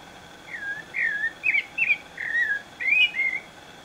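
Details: Pale-breasted thrush singing melodiously outdoors: clear whistled phrases of short slurred notes, rising then falling, given in quick bursts about every half second, with a steady faint insect-like tone and soft background hiss.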